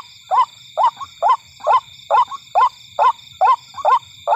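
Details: White-breasted waterhen lure call, used to attract waterhens at night: a hoarse, croaking note about twice a second, steady and unchanging, over a constant high electronic whine.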